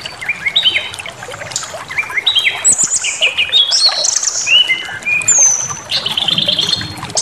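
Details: Aggressive, provoking white-rumped shama song: rapid sequence of varied whistles, downslurred notes and buzzy high phrases, densely packed with hardly any pause.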